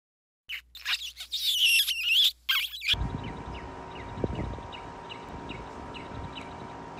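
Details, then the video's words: Northern Mockingbird during courtship, with a male singing to defend territory and attract a mate: a loud burst of varied, squeaky high phrases, then a softer run of quick repeated chirps over a steady hum. "Mating Flight|Songs? Courting Displays Of Northern Mockingbirds?"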